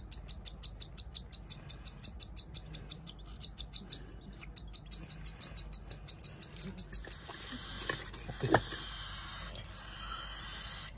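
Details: Cockatiel chicks begging at hand-feeding time: a long run of rapid high chirps for about seven seconds, then a hissing rasp and a brief clatter as the calls stop.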